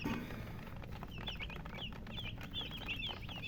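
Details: Chickens give scattered, sharp, high chirps, some rising and some falling, spaced a fraction of a second apart, over a steady low rumble.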